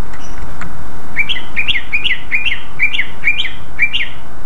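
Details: Singing greater green leafbird in clear 'ngeplong' style, played to provoke other leafbirds into answering: about ten rapid, rising-then-falling chirped notes in a steady rhythm, roughly three per second, over heavy constant background noise.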